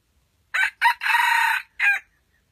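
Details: One of a pair of red junglefowl arriving at a decoy trapping site gives a clipped four-part crow: two short notes, a long drawn syllable, then an abrupt final note.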